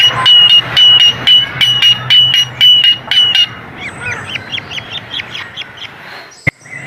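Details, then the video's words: Calls of the coleto, or kuling, a Philippine endemic starling. Loud metallic clicks, each paired with a level high whistle and repeated roughly twice a second, give way to softer rising chirps. A faint low hum runs underneath. "COLETO / KULING SOUNDS"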